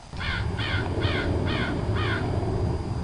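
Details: Five rasping crow caws in quick succession over about two seconds, evenly spaced and similar in pitch, set against a steady low rumble that continues after the calls stop.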